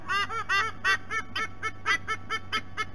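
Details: White-bellied sea eagle adults vocalizing at the nest, recorded by a nest camera at Sydney Olympic Park, Australia: a quieter run of clipped, honking, goose-like notes, roughly three to four each second, with a steady low electrical hum beneath.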